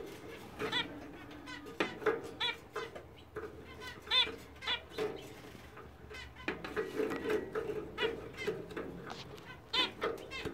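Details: A fawn zebra finch pair, a fawn male and a female thought to be a fawn Florida fancy, give short, nasal, toy-trumpet notes in irregular bursts, with some buzzy phrases.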